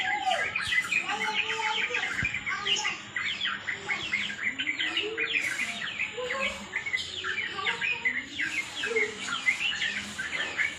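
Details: Sooty-headed bulbul (trucukan) calling to provoke a fight: busy runs of bubbly, chirping notes with lower warbled slurs beneath, the phrases overlapping almost continuously with other chirps.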